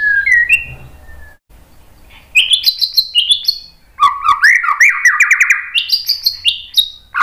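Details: White-rumped shama song: short whistles, a pause, then bright high phrases and a dense burst of rapid, varied warbling notes with sharp clicks.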